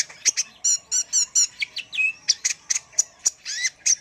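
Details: Brown-throated sunbird (kolibri ninja) singing energetically, used as a tutor recording for training birds: rapid high chirps and short buzzy trills with one clear falling whistle, notes repeated several times a second.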